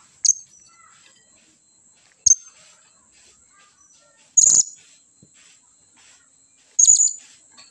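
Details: A young, home-raised blue-crowned hanging parrot fledgling calls noisily for companions: four sharp, very high shrill calls at irregular intervals about two seconds apart, some doubled or trebled, with a steady high hiss behind.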